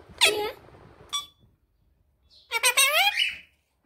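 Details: A male pet rose-ringed parakeet answers its owner's questions indoors, speaking in high, nasal, word-like phrases: two short bursts, a pause, then a longer chattering phrase, in an otherwise quiet room.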